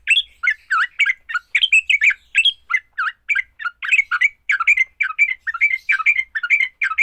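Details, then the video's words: Fighting song of a sooty-headed bulbul, meant to prompt other bulbuls into song: a nearly continuous run of bubbly, chattering notes with sharp upward and downward slurs, dense and energetic throughout, with no other sounds. "Kicau TRUCUK TARUNG, paling cepat bikin trucukan BUNYI."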